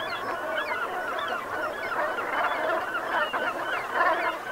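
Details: Flock of Brent geese calling at sunset in the Gulf of Morbihan, Brittany, on 7 November 2021, autumn: a continuous busy chorus of rough, overlapping honks and gabbling notes that swells near the end.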